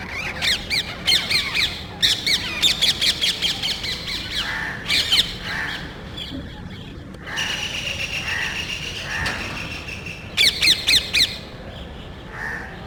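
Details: Small group of parrots searching a neighborhood for nest sites, inspecting electrical and TV cable boxes and loudly squabbling before flying off; harsh, grating squawks in fast overlapping bursts, several birds at once, with brief quieter gaps between outbursts.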